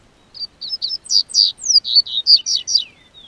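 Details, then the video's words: Double-collared seedeater singing in southern Brazil as the weather turns warm in spring, held by a registered amateur breeder: a quick, clean phrase of about eleven high, bright notes, several swept downward, ending in a thin falling trail. "O Tempo Esquentou, COLEIRO Cantou"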